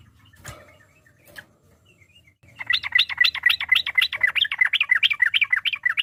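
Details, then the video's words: Trucuk bulbul singing a lively, varied lure song to goad rival birds: after a couple of isolated clicks, a sustained rapid string of bouncy, repeated warbled notes, several per second, with a low background hum throughout. "trucuk gacor ampuh memancing lawan nyaut emosi, trucuk ropel, trucuk nggaruda, suara ber fariasi"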